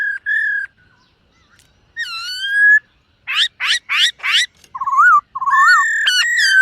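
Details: Silver-eared laughingthrush practising its morning song while dancing: steady whistles and a rising slurred phrase, a burst of four buzzy, harsh upward notes, then dipping warbled whistles and a final run of ringing tones.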